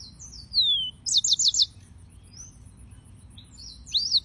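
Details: Yellow-fronted canary giving a descending whistle, a fast burst of four or five sharp repeated notes, then a faint slur and a final arched whistle, with quiet gaps and a low background hum.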